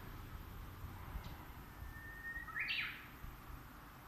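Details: Japanese bush warbler singing unseen while being searched for, its voice fading over time: one faint, long, level whistle followed by a short, higher, twisting flourish, over a steady background hiss.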